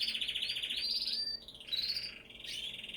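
A canary sings a bright, continuous run of rapid trills and rolling warbles, shifting pitch every second or so, with a brief pause midway.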